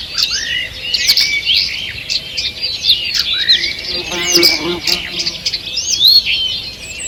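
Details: Morning chorus in a forest, 2 June 2023: many birds chirp and whistle in high overlapping phrases, while a brief low human-like voice sounds faintly underneath around the middle.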